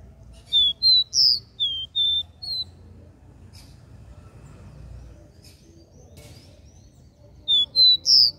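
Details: Regional three-note 'dó ré mi' song of a capped seedeater, used to stimulate other seedeaters: pure whistled notes, a falling then level sequence with a bright accented third note, two bursts separated by a quiet pause amid low rumble.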